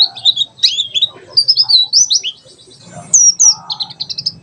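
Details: Mountain white-eye singing in the tembakan sejalur style, used as a tutor song for birds learning wild calls: quick high twittering phrases and short trills, sharp notes and bright chirps in uneven bursts, with a faint low hum beneath.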